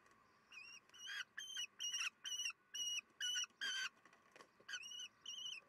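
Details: Common kestrels at a nest at 9:30 on 22 June 2021, where the youngest nestling remains while fledged siblings and parents encourage it. Shrill, harsh, slightly nasal notes come about two per second over a faint steady hum.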